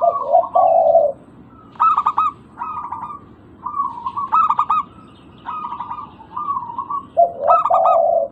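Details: Zebra dove, local type, used to coax quiet birds into answering: a low drawn-out coo opens, followed by a string of quick, stuttering pulsed coo bursts in regular succession.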